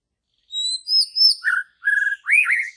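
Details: White-rumped shama, wild, in forest: clear high whistles sliding upward, then lower warbled notes and a fast trilled phrase, ending with a rising swoop; clean and loud.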